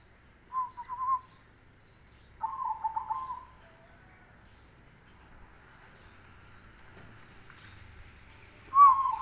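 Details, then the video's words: Zebra dove, black cemani Kolbuntet type, in bass-voiced song: three separate soft, low, trilled coo phrases, a short one, then a longer rolling one after a pause, and a final phrase after a long quiet gap. "suara bas burung Perkutut manggung gacor"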